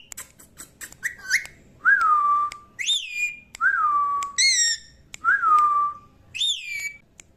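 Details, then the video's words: Baby pet parrot talking, saying mummy, in a small room: clicks, then repeated two-part phrases, each a sharp rising note dropping into a long flat whistle, about five times, with brief squeaks between. "qute baby parrot talking mummy"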